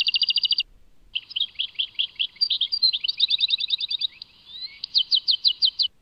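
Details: European goldfinch song from Tadmait: a quick burst of rapid high tinkling notes, a short pause, then a long run of twittering, liquid chirps and fast trills, ending in evenly repeated bright notes. The background is quiet.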